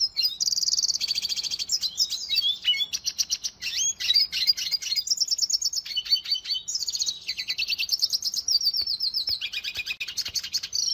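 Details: Song of a Venezuelan goldfinch: a continuous high, fast-paced warble mixing dense trills, metallic buzzes and chattering repeated notes without pause.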